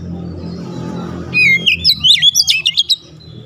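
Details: A low droning hum gives way to oriental magpie-robin song, used as a lure to make a silent bird sing: bright whistled slurs followed by about eight quick, clipped chip notes.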